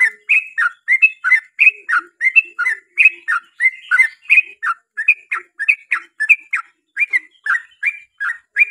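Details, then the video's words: Yellow-vented bulbul in long, rapid 'ropel' singing meant to lure other bulbuls into song: a dense run of bubbly, warbled two-part notes, about three per second, with no other sounds. "KICAU SUARA trucukan gacor ROPEL PANJANG pancingan trucukan agar bunyi"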